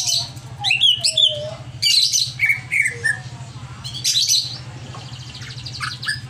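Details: An over-agitated greater green leafbird delivers sharp high chips, slurred whistles and harsh rattling phrases in bursts, with pauses between and a constant low hum.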